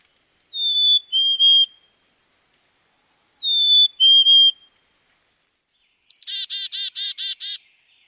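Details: Wisconsin black-capped chickadee whistling two sweet falling two-note phrases, then a chick-a-dee call of two high sharp notes followed by a run of about six buzzy, evenly spaced notes; no other sounds.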